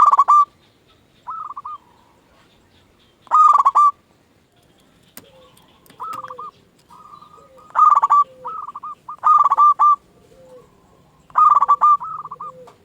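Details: Local zebra dove used as a lure and master for shy doves: a long run of rolling, pulsed coo phrases, loud ones alternating with softer notes and lower coos, plus a couple of sharp clicks.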